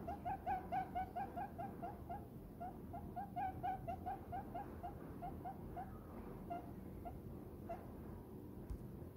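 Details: Diamond dove, a small pet that loves to nestle down in the owner's palm, giving happy, soft short coos in a quick series, about two a second, fading out after six seconds over low room noise.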